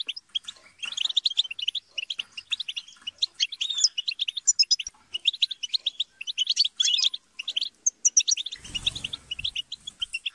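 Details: A flock of European goldfinches twittering and squabbling together to encourage singing. Continuous fast, high chirps and jingling trills, with a short burst of broadband noise near the end.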